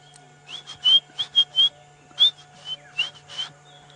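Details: White-browed scrub robins (Cercotrichas leucophrys) singing around a waterhole in the African bush on an afternoon safari drive, 31 July 2016, with black-headed orioles: clear, high whistled notes in quick bursts, about four phrases a second, over a low hum.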